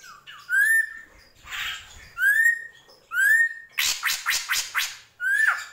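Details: Drongo singing: bright rising whistled notes sweeping upward, each about half a second, alternating with harsh, buzzy rasping bursts and a quick series of scratchy chatter notes near the end.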